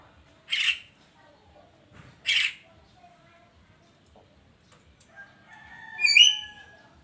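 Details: Javan myna in the morning: two short harsh chattering bursts nearly two seconds apart, then a clearer whistled, stacked-tone phrase rising toward the end.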